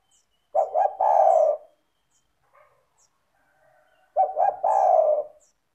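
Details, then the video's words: Persistently calling spotted dove, used to encourage lazy doves to call. It repeats two low coo phrases, each made of two quick clipped notes and a longer drawn-out falling coo. Faint soft sounds fill the gap between phrases. "Pancingan bunyi suara burung tekukur gacor cocok untuk terapi tekukur malas bunyi"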